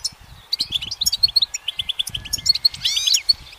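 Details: Goldfinch singing from a branch in sunlight: a short run of bright, liquid chirps and quick twitters, ending in a cluster of sweeping slurred notes, with faint low rumbling beneath.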